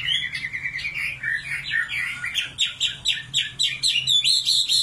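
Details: {'caption': 'Common nightingale singing: varied warbled notes give way to a fast, accelerating series of sharp repeated chirps, about a dozen in a row, over a low hum.'}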